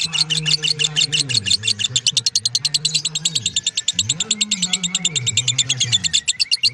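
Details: Lovebird performing a ngekek song that lasts over a minute: dense rapid high-pitched chatter with no gaps, while a low humming voice rises and falls underneath.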